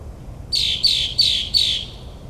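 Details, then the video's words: Nocturnal northern mockingbird song from suburban New Jersey, a mimic of over a dozen bird species: four loud, clear, downslurred notes repeated at even spacing, against a quiet night background. "Mockingbird's Nocturnal Performance"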